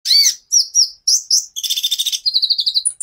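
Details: Kolibri ninja sunbird singing actively in the full 'tembakan' style with many varied phrases, used as a master recording for training songbirds: high sharp chirps and whistles, then fast buzzy trills and a rapid run of evenly spaced notes.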